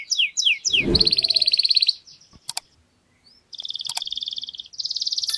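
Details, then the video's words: Garden canary delivering quick descending chirps, then a long buzzy trill briefly overlapped by a dull knock, a short silence, and another rolling high trill; a few faint clicks in between. "Canario cantando en el jardín"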